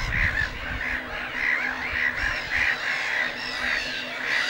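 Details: Breeding colony of black-headed gulls at Lake Hornborga, with a steady wash of rasping gull calls and brief sharp notes repeated roughly twice a second, plus low rumbling noise.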